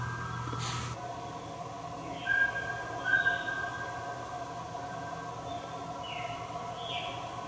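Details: Mountain scops owl (Otus spilocephalus), Taiwan endemic subspecies, recorded in Meinong, Taiwan, dated 20.09.03, gives two clear, high whistled notes about a second apart over a steady insect-like drone and a brief rustle.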